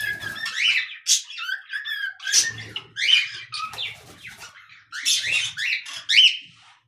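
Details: Singing pet cockatiel indoors, giving loud, harsh chirps and warbling whistles with sliding rising and falling notes, delivered in dense phrases with brief pauses over about seven seconds.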